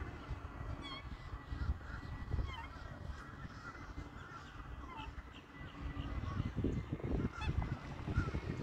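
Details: Black swans during courtship and mating give soft, bugling honks several times, half buried under a steady low rumble of wind or water.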